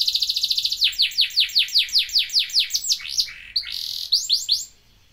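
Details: Canary singing a long, lively phrase: a fast trill of bright repeated notes that slows into a run of descending sweeps, then a rolling buzzy section and a few final high slurs, all high-pitched and clear with no other sounds.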